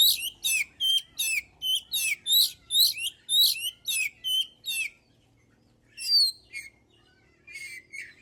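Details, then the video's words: Oriental magpie-robin in energetic song, used as a lure to provoke other birds into singing; a quick series of about thirteen harsh, buzzy, downward-sliding bursts, then a pause and a few scattered sweeter whistled notes. "Suara burung kacer gacor paling ampuh buat pancingan"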